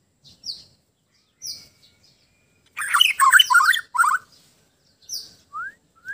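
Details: White-rumped shama from Sabah, Borneo, singing calmly: short high whistled notes spaced apart, a one-second cluster of dense rich warbling, then more isolated whistles and quick rising slurs.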